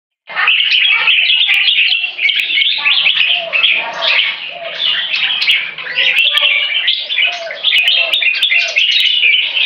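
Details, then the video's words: One of three open tail jambuls in training sings a long, rapid, unbroken warble of sweet, high, varied chirps and trills with no pauses, as the weather turns warmer and sunnier. "Training Open Tail Jambuls With Open Tail Jambuls"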